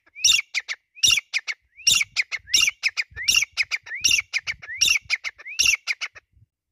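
Grey francolin giving loud, harsh, repeated call phrases, each starting with a rising note followed by quick clipped notes.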